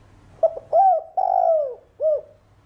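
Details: Spotted dove, 'thổ đồng' voice, cooing to get other doves singing: two quick hooked notes, a long mellow coo bending downward, and a final rounded note.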